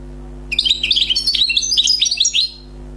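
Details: Newly caught wild European goldfinch giving a two-second burst of fast, tinkling twitter with chattering and buzzy notes, surrounded by a low steady hum.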